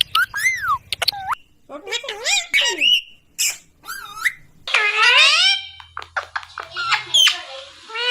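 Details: Pet Indian ringneck parrot mimicking speech in quick, squeaky, voice-like syllables with sliding pitch, mixed with sharp chirps and a harsh buzzy burst midway, in a quiet setting.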